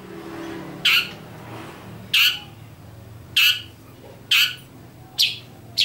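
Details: Shrike uttering strange, grating squawks, brief noisy bursts spaced about a second apart, six in quick sequence, with a faint low hum behind them.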